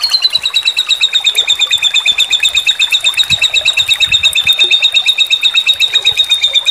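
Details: Sambung susun tutor song of a white-rumped shama for competition birds, with tembakan phrasing: a long, even, high trill of rapid clipped notes that holds steady at one pitch throughout.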